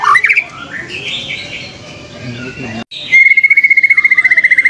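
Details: A fighter white-rumped shama seeking a rival starts with a few whistles over muffled background noise. A short pause follows, then a fast, level trill of rapidly repeated identical notes.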